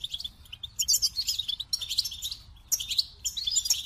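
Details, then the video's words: Goldfinch delivering bursts of bright, liquid twittering and buzzy trills separated by short pauses, phrases tumbling quickly in high pitch. "The Captivating Call of Goldfinches"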